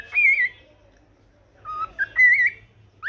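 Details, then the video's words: Pet cockatiel singing in the morning: two bright, warbling whistled phrases with wavering pitch, split by a quiet pause of over a second, and a rising whistle at the very end. "cute bird sing unlimited song for morning refreshments"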